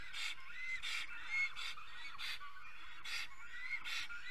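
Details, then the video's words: Black stork singing in its nest in Estonia in the early morning at 5:48 on 10 April 2020: breathy, hissing bursts repeated roughly every 0.6 seconds, with thin whistled notes between them. "Must toonekurg~ Early morning in the nest- Karl II is singing"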